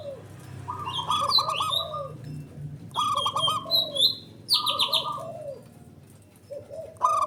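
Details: Local Indonesian male zebra dove, perkutut, calling back and forth as a lure recording. Rolling, burry coos in short phrases with pauses between them, mixed with loud rising-falling high whistles and bursts of chirps.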